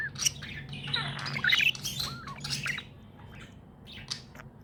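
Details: Pet budgerigar chattering happily: a burst of squeaky, twittering notes with a few clear whistled slurs, loud in the first half and then fading to sparse soft chirps, with a low steady hum underneath.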